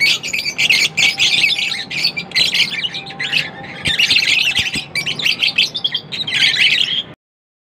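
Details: Lovebirds chatter non-stop, dense raspy squawks and shrill chirps in long bursts for about seven seconds before the sound cuts to silence, a faint steady hum underneath.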